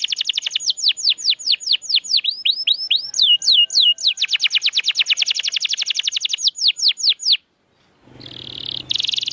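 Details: Canary training song for prompting mute birds to sing again: fast repeated downward-sweeping whistled notes, about two per second, running into dense rolling trills, then a brief pause and a buzzy burst at the end.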